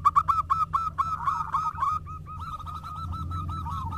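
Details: Active local zebra doves answer each other. Rapid staccato cooing notes tumble together for two seconds, then a softer, even trill of coos continues. A faint higher warble and a low background rumble are also heard.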